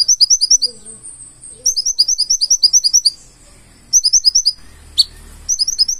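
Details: Konin, the purple-throated sunbird, singing full isian: rapid strings of high, crisp chirps, one sharp down-slurred whistle near the end, faint lower warbling notes and a brief low rumble.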